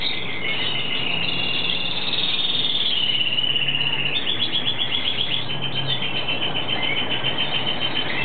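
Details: Breeding-season song of an Argentine hooded siskin (Carduelis magellanica): sustained high twittering, then a long run of rapidly repeated clipped notes, over a constant low background hum.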